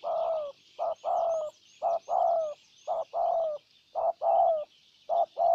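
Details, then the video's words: Spotted dove used as a decoy in Ninh Thuận, Vietnam, calling in a wild bird: steady rhythm of a short coo followed by a longer falling coo, repeated about once a second, with faint high chirps behind. "Cu Gáy Ninh Thuận clip 144 [ Hiệp 2 ] Mồi Siêu Gù thu phục bổi quá tuyệt vời"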